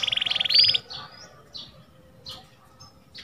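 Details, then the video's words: Singing canary (kenari): a short, fast trill ending in a sharp rising whistle, then quieter scattered notes and chips with gaps between them. "CANARY SINGING"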